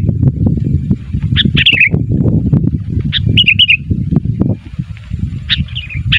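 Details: Sooty-headed bulbul calling for other bulbuls to answer: three short bursts of chirps each ending in a warbled flourish, partly masked by loud continuous low rumbling noise.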